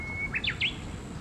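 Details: A juvenile little grebe on the Tama River on 20 July 2024 gives a thin, steady high whistle, then three quick, sharp chirps that slur up and down, over faint outdoor hiss.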